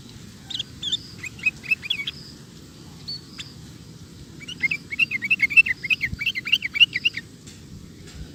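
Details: Sooty-headed bulbul song used to train cage birds: a short chattering run of chirps, a few thin whistles, then a longer rapid stream of bouncing notes, with steady low background hum.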